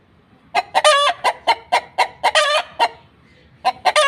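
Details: Domestic hen, stated to be laying an egg, gives a run of sharp, evenly spaced clucks that break into longer, drawn-out cackling notes, then pause and start again. The background is quiet.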